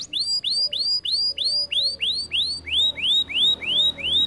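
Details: Canary singing a steady tour of rising, bright upswept notes, about three per second and repeated more than a dozen times in a regular rhythm, loud and clear over a quiet background.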